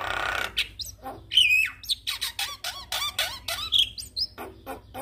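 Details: Javan myna responding to a lure recording of a Javan myna, giving a hissing rasp, then wavering whistles and a quick string of squeaky, chattering notes.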